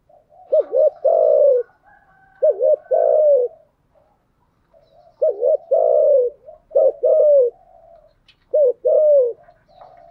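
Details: Lure recording of a female spotted dove cooing to make wild doves respond quickly. Low throaty phrases repeat in four bouts, each a short warbled note then a drawn-out falling coo, with soft quieter murmurs between them.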